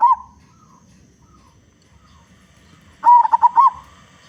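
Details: Singing local zebra dove used as a lure for other zebra doves: mostly quiet apart from a brief note at the start, then one loud wavering coo phrase of rolling notes near the end.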